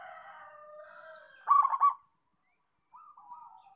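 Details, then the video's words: Local zebra dove singing: fading drawn-out notes lead into a brisk burst of three or four hollow cooing notes, followed after a pause by softer wavering coos. "Perkutut Lokal Gacor"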